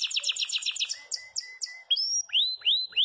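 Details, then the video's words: A yellow Belgian canary in full campainha song. A rapid high trill is followed by short, flat whistled notes, then three loud arching whistles that rise and fall in turn. "CANÁRIO BELGA CAMPAINHA ESTOURADO DANDO UM SHOW !!!"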